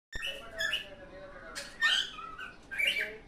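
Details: Pet cockatiel singing happily: a few scattered chirps and squawky rising notes, irregular and fairly soft, with a faint low whistle underneath.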